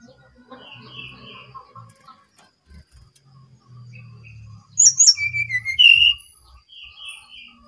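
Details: Brown-chested jungle flycatcher from Bali singing actively. Soft, scattered whistles and low hum give way to a loud burst of sharp descending whistles and slurred notes, followed by quieter trailing whistled notes.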